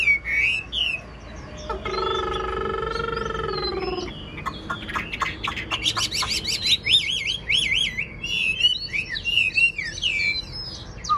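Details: Old wild-caught Chinese hwamei, caged and praised for its voice, giving whistled notes, a long steady harmonic note lasting about two seconds, then rapid chirps and wavering high whistles.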